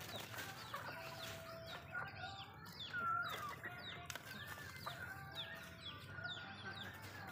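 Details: Chickens of the Malay breed eat food in a backyard, giving repeated high falling peeps and a few low clucks, with light tapping and a brief flutter.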